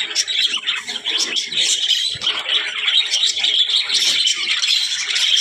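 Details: Budgerigars described as talking produce lively, overlapping warbles and sharp chirps, a crowded high-pitched chatter that swells and dips but never stops.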